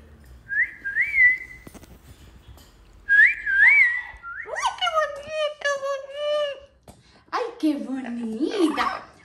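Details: Talking 13-year-old female pet parrot, seemingly calling and crying for her 'papá', gives two pairs of rising-and-falling whistles, then harsh, speech-like chatter and lower, wailing voice-like sounds.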